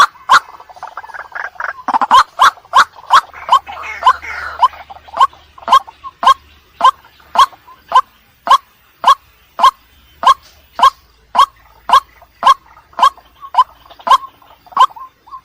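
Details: White-breasted waterhen night lure call opening with a jumbled harsh chatter, then settling into sharp, clipped notes repeated evenly about every half second.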